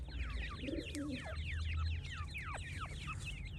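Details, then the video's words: Francolin chicks calling in a busy cluster, high twisting peeps tumbling over one another, several longer falling notes, with a brief low wavering sound early on and steady background hum. "تیتر کے بچے اور مست آواز"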